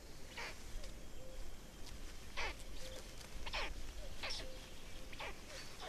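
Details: Estonian black stork chicks, 18 May 2019, with a fourth chick present: brief wheezy, descending hiss-like notes repeated about once a second, interspersed with faint short squeaks, over low rumbling background noise.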